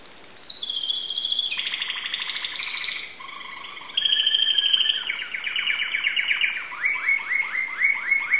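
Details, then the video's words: Singing Timbrado canary from Greece: a long high whistle, buzzy low rolls, a bright trill, then clear downward-swept notes repeated in a steady series. "greek canary timbrado singing song"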